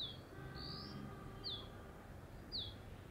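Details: Dark-grey bush chat perched on a deodar twig at Jabbarkhet sanctuary in the western Himalayas, giving loud, high, thin whistled notes, some rising and some sharply falling, repeated roughly once a second over a faint hum.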